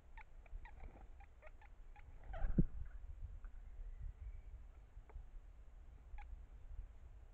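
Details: Great spotted woodpecker at its nest hole while the male and female feed hatched chicks, calling to each other. Sharp, short, dry 'kik' notes repeat quickly, then a loud knock, and a few more scattered notes follow.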